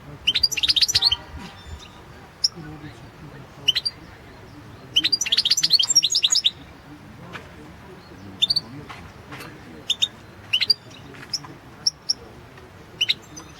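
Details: Goldfinch song recorded for the 2016 World Championship in Goldfinch Song: two dense bursts of rapid buzzy twittering, separated by scattered single high chirps and pauses, over a low background hum.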